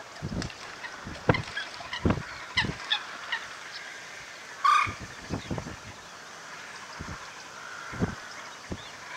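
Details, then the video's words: Coots fighting on the water at WWT Slimbridge, seen from a hide around midday in mid April, misty weather: repeated sharp splashes and thrashing throughout, with one loud, harsh, honking call standing out midway. "Fighting Coots"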